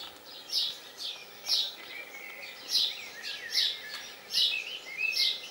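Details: Albino common starling recorded at Northorpe on 6 June 2021: harsh, buzzy, high bursts repeated roughly every three-quarters of a second, with lower slurred whistles in between.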